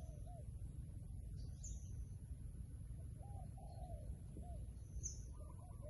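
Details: Wild pigeon near a decoy bird, cooing in soft low arcs, several rounded notes spaced through six seconds, faint high chips above, with a heavy steady low rumble throughout.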